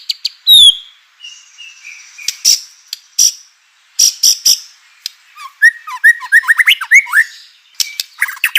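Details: White-rumped shama provoking song for stirring other shamas: a sharp falling whistle, thin drawn-out tones, scattered high clicks, then a lively run of short curling whistles.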